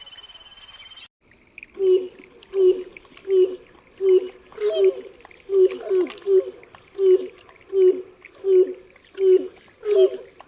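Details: A grey crowned crane with its young repeats short, low, hollow honks at a very regular pace, roughly one every 0.7 seconds, after a brief opening burst of a different sound.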